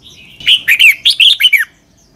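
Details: Red-whiskered bulbul, Thailand, southern master song in the 'double' style, clear syllables meant for young birds to copy; one quick phrase of seven bright whistled notes, some rising and some falling, then silence.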